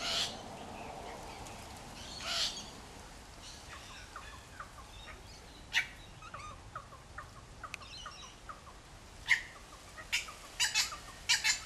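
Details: Wattlebirds in a backyard mobbing a Kookaburra to drive it away, their nest about two metres off; harsh, raspy broadband bursts scattered through, with soft short descending whistles between them.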